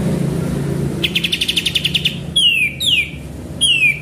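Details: Sooty-headed bulbul song played as a lure: a rapid rattling trill lasting about a second, followed by three loud, clear notes that slur sharply downward, over a steady low rumbling background.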